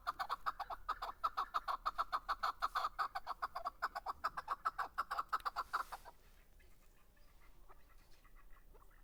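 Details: Chukar partridge (keklik) singing in Darvoz, Tajikistan, 2020: fast repeated clucking chuk notes in an even rhythm for about six seconds, then the series stops and only quiet background hiss with faint scattered sounds remains.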